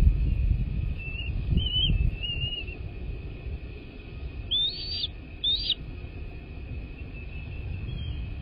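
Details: Wild American bald eagle at a nest, recorded by a live nest cam on 21 February 2024 at 12:14. Thin, high piping notes rise and fall in two short bursts, and steady low rumble and wind noise run underneath.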